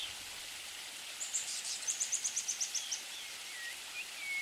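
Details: Streaked xenops recorded in Carmo da Cachoeira, Minas Gerais, Brazil: a quick run of about ten thin, very high, sharp notes spread over nearly two seconds, followed by a few fainter lower slurred whistles, over steady background hiss.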